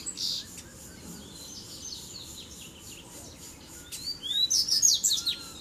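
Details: Three male Double-collared seedeaters arrive together to fight. After mostly quiet seconds with faint notes, a bright phrase of high whistles and sharp chips bursts out near the end.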